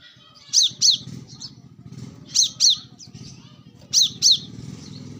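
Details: Wild brown-throated sunbird, recorded for luring birds: paired high, sharp downslurred notes repeated roughly every one and a half seconds over a steady low murmur.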